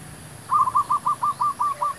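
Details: Zebra dove used to lure wild doves for trapping; a quick run of about eight short, even, clipped notes, each rising then dropping, delivered in a steady rolling rhythm over faint background hiss.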